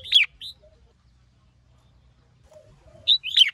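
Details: Red-whiskered bulbul, a male fired up by a female and singing in the hót sổ bọng, hót ché style. Two bursts of sharp, bright chirped notes are separated by a quiet gap of nearly three seconds, with faint low rumble beneath.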